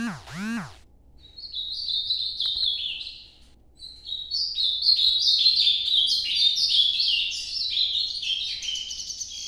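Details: Nordeste-style song of an ultramarine grosbeak: after a brief squeaky sound at the start, a short high phrase, a pause, then a long rapid warble of descending whistled notes.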